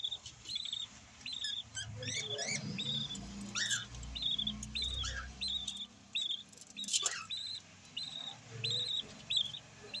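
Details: Newborn yellow lovebird chick uttering short, thin, high squeaks at irregular intervals over a steady low rumbling background, with a few sharp clicks.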